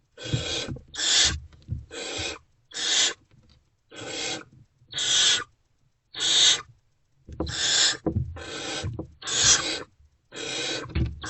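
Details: Night at a barn owl nest box, 2:15 to 2:33 am, 28 February 2024, amid food deliveries; a long series of short, harsh hissing screeches, irregularly spaced, some overlapping, with shuffling and scraping underneath.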